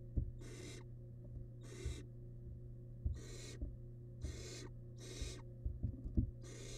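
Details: Wild barn owl nestling in a monitored nest box, feeding on large rabbit remains; harsh, breathy hissing snores in bursts about half a second long, repeated roughly every second, with soft bumps and scraping in the box.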